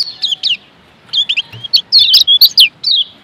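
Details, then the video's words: Lombok white-eye, a yellow white-eye kept as a songbird, singing: bursts of sharp, high chirps and quick down-slurred whistled notes, some rapid twittering runs, with short pauses between phrases. "Masteran Kecial Kuning PENGGACOR"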